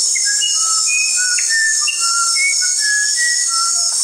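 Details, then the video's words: Musician wren singing: a lively run of pure, clear whistled notes that jump between higher and lower pitches, about three or four per second. A constant loud, high insect hiss sounds throughout. "SONIDOS del CUCARACHERO MUSICAL"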